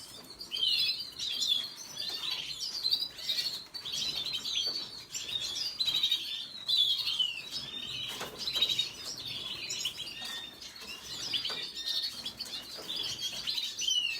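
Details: A red siskin keeps up a long, steady run of high twittering: rapid chirps, slurred notes and buzzy fragments flowing almost without pause.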